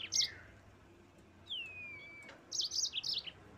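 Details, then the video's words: Singing yellow-fronted canary used to provoke rival birds: a brief chirp, a long clear whistle sliding gently down, then a quick jumble of high twittering notes. "suara burung mozambik gacor pandai memancing emosi lawan auto ngerol gacor"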